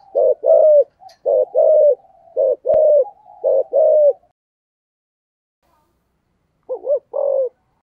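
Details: Spotted dove cooing in the 'giọng thổ' voice style: low, hoarse coos in quick phrases of short and drawn-out notes, two rounds in the first half, then silence and a final burst of three coos near the end.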